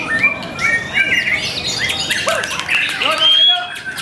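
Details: White-rumped shama (murai batu) singing at a bird song contest dated 05/04/2021: bright whistled phrases, some short rising and falling slurs, delivered in quick bursts while other birds sing behind and crowd sounds are faint.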